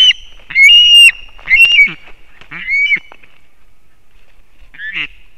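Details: Osprey calling at a Latvian nest with chicks, 20 September 2024, while the father brings fish: a few drawn-out, harsh whistled squeals at uneven intervals, then a quieter gap and one last call.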